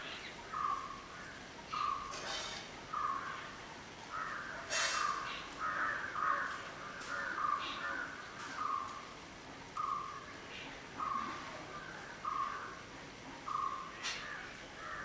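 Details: Repeated brief, mid-pitched notes from a black-headed oriole, roughly one per second over fifteen seconds, while sharp higher chirps and clicks from other birds break in now and then.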